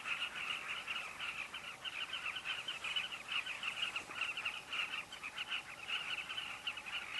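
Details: A breeding colony of carmine bee-eaters at Kavinga Safari Camp keeps up a pulsing chorus of many burry, trilled chirps that swell and ebb throughout.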